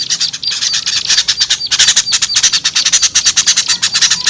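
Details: Small birds calling, from a recording played as a lure for small birds: busy, high twittering with short whistled accents mixed into fast repeated chips, steady and unbroken for the whole stretch.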